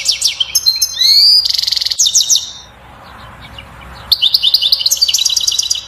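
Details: European goldfinch singing batbata song to encourage a female to mate and build her nest; rapid tinkling chatter and a harsh buzzy note, a quiet pause, then fast repeated twittering notes.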